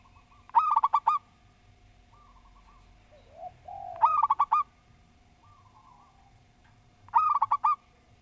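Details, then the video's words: Local Java zebra dove singing three neat phrases of quick, soft, rolling coos roughly three seconds apart, with quieter coo fragments between, a short low murmur near three seconds, and steady background hum. "Perkutut Lokal Gacor Suara Tersusun"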